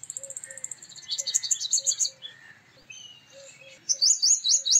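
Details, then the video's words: Male purple sunbird: fast ringing metallic trills and chattering notes, ending in a series of high, sharp downslurred calls, while a soft low call repeats behind. "Purple Sunbird Sound / Purple Sunbird Song / Purple Sunbird Call /Male Purple Sunbird Vocals, Voice"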